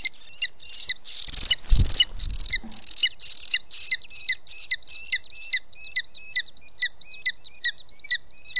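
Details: Booted eagle at its nest in Els Ports Natural Park, 18 June 2017 at 20:09, as the male brings prey, an unidentified bird, late in the evening: a long run of shrill, hooked, downslurred notes, about two per second, with a brief thumping knock early on.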